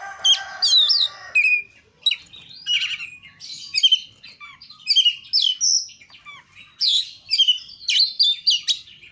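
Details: Oriental magpie-robin (kacer) singing richly, used to stir other kacer into song: a harsh lower buzz at the start, then rapid varied high chirps, squeaky whistles and trills in dense repeated bursts.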